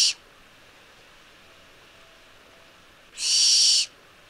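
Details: A Barn Owl (Tyto alba), a European owl, gives a harsh hissing screech lasting under a second, with the tail of an earlier screech at the start and quiet in between.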